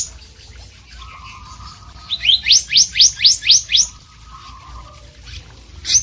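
Blue whistling thrush gives a quick run of seven bright, rising whistled sweeps, about four a second, between steadier, lower whistled notes.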